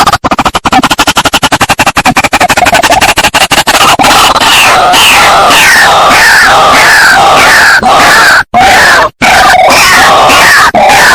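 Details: Lure sound for white-breasted waterhens played to bring birds close: a dense, loud, continuous chorus of raucous, scraping calls, rapid stuttering notes at first, then longer rising grating phrases.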